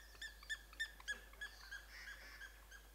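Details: Red-billed blue magpie feeding on rhododendron nectar and petals in spring beside the Motidhar stream: a quick series of about six clear, nasal, harmonic-rich notes about a third of a second apart, then softer trailing notes over faint background hiss.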